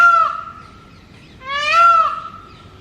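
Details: Male Indian peafowl, holding territory on a house roof in mating season and calling mornings and evenings to attract females, gives two loud, nasal, trumpeting wails: the first brief, the second swelling and holding before fading.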